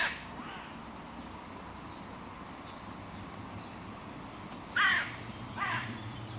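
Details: Quiet park ambience, then two rasping caws a second apart near the end. The crows are at a music pavilion where the borders of three breeding pairs' territories meet and are fought over.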